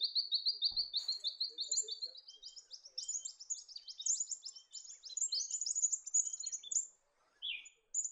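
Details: Australian pipit (Anthus australis), a grassland bird of the high-altitude New England region of northern NSW that dashes around chasing insects, gives a rapid run of high, thin chirps and trills, steady and bright for several seconds, with a low thump near the start.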